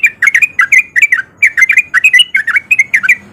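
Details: Sooty-headed bulbul male in breeding condition giving a hurried 'ropel' song to lure other bulbuls: loud, bubbly paired whistles tumbling one after another without a break.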